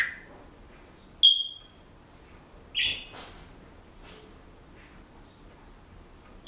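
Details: Pet Senegal parrot at home, which whistles bars of a song it is learning and mimics household noises; a sharp high whistled note, then a short bright chirp and faint scattered chirps over a quiet room hiss.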